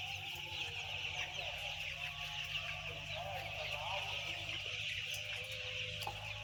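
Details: Dense chorus from about ten thousand white chicks: thin, high cheeping in a continuous overlapping stream, with a low droning hum underneath.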